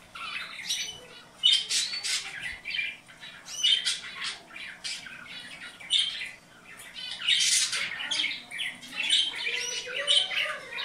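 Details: Caged canaries, song played to encourage breeding: dense bursts of harsh chattering and buzzy notes, several birds apparently overlapping in uneven rhythmic pulses.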